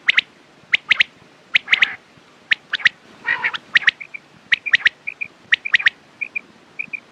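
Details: Quail calling, for morning and night use: crisp, high clipped notes repeated in twos and threes, one harsher buzzy burst midway, then soft paired whistled chips toward the end.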